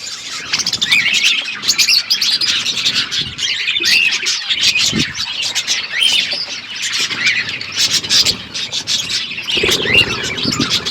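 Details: Parrots chirping during feeding, February 25, 2024; constant overlapping high tweets and short squawks, with occasional upward-sliding notes and a few low bumps underneath.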